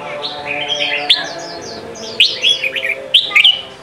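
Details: Red-whiskered bulbul song, Sông Kon style, used to train young birds' voices: softer slurred whistles layered over one another, then louder sharp rising notes from about two seconds on.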